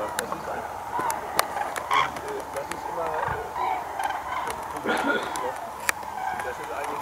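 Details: A flock of common cranes near Diepholz, Germany, on 4 Nov 2015 gives overlapping loud, rolling trumpeting calls, several at once, with faint voices and handling knocks in the background.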